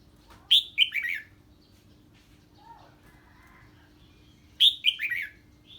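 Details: Red-whiskered bulbul reacting to an unfamiliar bird with ché singing: two brief clusters of sharp, descending chirps about four seconds apart, separated by near silence with a faint low murmur.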